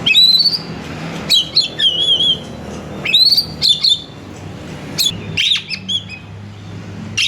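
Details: Oriental magpie-robin singing vigorously to prompt other magpie-robins to sing: quick whistled phrases mixing rising slurs, short warbles and piercing high notes, with a steady low hum in the background.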